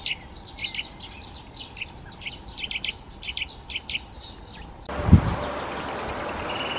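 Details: Eurasian nuthatch (Sitta europaea) giving a brief series of evenly repeated high whistled notes near the end, preceded by a busy stretch of mixed chirps and short notes from other small birds over steady background hiss.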